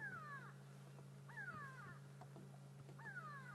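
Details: Grey go-away-birds at sunrise in Sabi Sand, South Africa, 31 May 2016, give three nasal, drawn-out, falling alarm calls about every one and a half seconds over a steady engine hum, apparently warning of a hyena.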